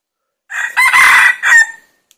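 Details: Decoy Red junglefowl crowing to lure wild junglefowl: a single loud, hoarse crow lasting about 1.3 seconds, with a short opening note, a long steady middle and a brief final burst; a faint click follows.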